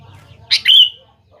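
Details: Single lively Sooty-headed bulbul phrase, used as a lure for young birds to respond: a sharp, rough note then a clear, slightly rising whistled slur, lasting about half a second over a faint low hum.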